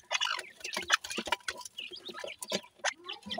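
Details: Partridge (teetar) chicks giving short, high peeping chirps, some thin notes sliding downward, scattered irregularly among loud clicking, scratching and rustling noises.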